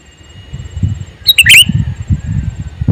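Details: A male sooty-headed bulbul gives one brief burst of bright, sharp chirps over steady low rumbling noise.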